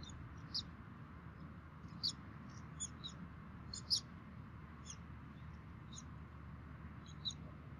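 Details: Both bald eagle parents feed their chicks at a Minnesota DNR nest camera, 3 May 2016 at 11:48; soft, high-pitched chirps, some doubled, sound at irregular intervals against a constant hiss.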